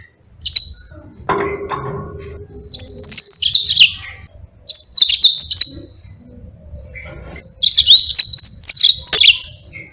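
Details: Bursts of high twittering song from a yellow-fronted canary used to train other birds, each phrase of fast wavering whistles lasting about a second and a half, with a brief low knock early on.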